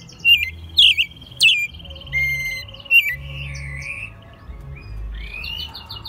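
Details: American robin hand-raised from a chick, singing in Mexico City in March 2020; a few loud squeaky notes, then a long wavering whistled trill that fades into quieter warbling, with low background hum.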